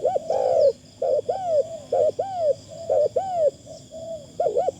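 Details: Decoy spotted dove with a fine light voice giving rapid repeated downward-arching coos, about one a second, mixed with softer level notes and a closing double coo, over constant shrill insect noise.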